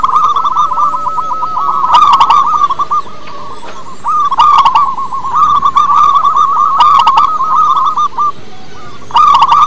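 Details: Rapid, rippling coo notes from a loud local zebra dove kept to lure other doves, running in long unbroken trills interrupted by brief pauses and sharp clicking sounds.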